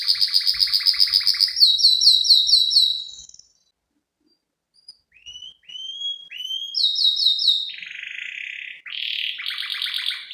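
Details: Female canary luring the male, used as a training and lure recording in the cengkok isian style: loud rapid trills of repeated notes, a brief silence, then rising whistled slurs and further buzzy trills.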